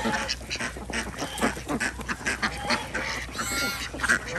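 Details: A flock of desi ducks on a village farm in Andhra Pradesh, heard during morning egg collection, gives a rapid clatter of short harsh quacks, many birds calling at once, with one clearer call near the end.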